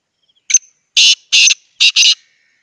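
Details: Tame pet black francolin, known locally in Pakistan as kala teetar, gives its loud call nearby: one brief clipped note followed by four rasping, buzzy bursts in quick rhythm, the final pair almost joined, with no other sounds.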